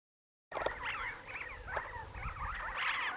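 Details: A Snow partridge, one of a scattered group of 13, gives a run of scratchy, chattering call notes in quick bursts over a low rumble; recorded early morning on snow above 12,000 ft in the high Himalaya.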